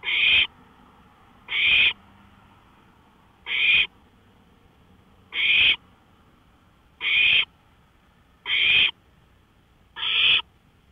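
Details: Owl out on a porch at 1:53 AM on May 5, 2013, giving seven harsh, hissing screeches, each under half a second, repeated roughly every one and a half to two seconds against a quiet night background.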